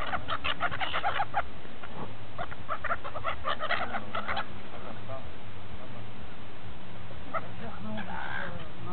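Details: Feeding gulls at Repino near St. Petersburg: a burst of squawking, harsh calls from several birds during the first half, then quieter with only occasional distant cries over a constant low rumble.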